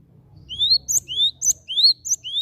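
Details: Lure calls of a Timor sparrow meant to set other birds singing: clear rising whistled notes, each capped by a sharp high chip, repeated about every half second.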